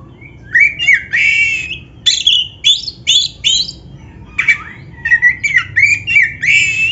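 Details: Oriental magpie-robin, black-breasted form, singing energetically, played to coax caged birds into song: rich varied whistles and sliding notes in quick bursts, mostly high and clear, with short gaps between phrases over a faint low hum.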